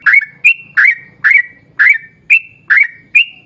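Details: Yellow-vented bulbul singing to lure other bulbuls into song; paired whistled notes, a bubbly dip followed by a clear sustained tone, repeated roughly twice a second over a soft low background murmur.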